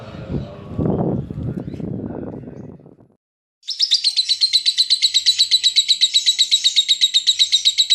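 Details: ["Noisy rustling and voices, a brief silence, then a lovebird's long ngekek in 'konslet' style, meant to set other lovebirds singing: a very regular rapid trill, about four pulses a second, high and buzzy."]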